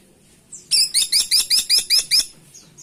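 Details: Eight piercing, nasal high-pitched notes from a caladi tikotok woodpecker, rattled off quickly and evenly in about one and a half seconds against a quiet low hum.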